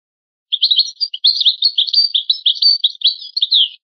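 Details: Rare old recording of an original-style European goldfinch song: about three seconds of continuous, liquid twittering made of quick varied high chirps and slurred notes, in silence.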